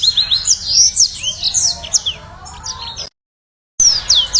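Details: Yellow-fronted canary song played as a lure to make birds sing: quick high whistled slurs and twittering notes, trailing off into a brief silent gap before the chirping resumes.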